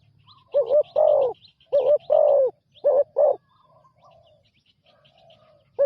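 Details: Newly trained spotted dove used as a ground decoy coos in short clusters, a brief note then a fuller drawn-out one, pausing between bursts, while small birds chirp faintly high above.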